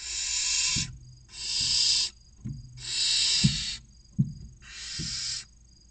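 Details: Barn owl nestlings, six of them aged 16 to 29 days, beg at the nest box entrance near Casa Palillos, Cabañeros National Park, Spain: four loud breathy hissing screeches in quick succession, with soft knocks and shuffling between them.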